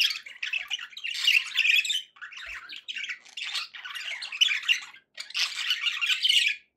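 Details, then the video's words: Pet budgerigars warbling indoors in loud rasping bursts of chatter and squeaky notes, separated by short pauses. "budgie sounds to encourage your parrot to eat and sing"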